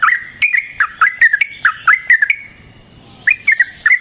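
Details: Sooty-headed bulbul in full, fighting-style song with long rolls, used as a lure for other bulbuls: short bubbly liquid notes, rising and falling, in quick bursts, a brief pause near the middle, then the phrases resume with sharp clicks.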